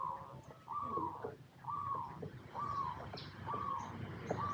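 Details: Zebra dove, a local Indonesian bird, giving soft, evenly spaced coos about once a second, each a short falling note, over steady background hiss and faint traffic-like noise.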